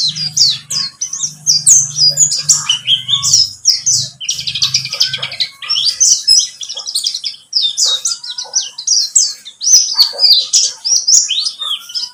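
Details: Lure track of a buxtomi white-eye meant to make birds sing: long, lively run of shrill chirps and twittered trills, near continuous, with a low droning hum beneath the first half.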